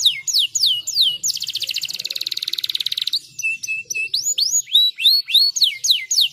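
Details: Song of a caged canary, for stimulating singing: falling whistles, then a long rapid buzzing trill, followed by flat pure notes and regular swooping chirps about twice per second.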